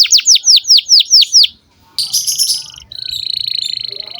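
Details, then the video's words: Canary lure song for young canaries, seven quick descending whistled notes, a short gap, then buzzy rolls and a steady pulsing trill. "Pancingan kenari gacor buat kenari paud"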